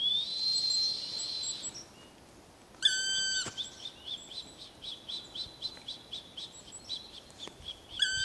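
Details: Black woodpecker answering a person's imitated call; a long whistled tone and harmonic notes, then a fast run of short, evenly repeated high calls over about four seconds, with more notes at the end.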